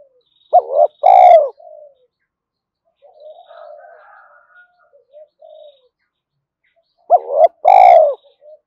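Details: Spotted dove cooing to stimulate newly caught doves: two loud two-part phrases, a short quavering note then a longer falling coo, about six seconds apart, separated by quiet low murmuring coos.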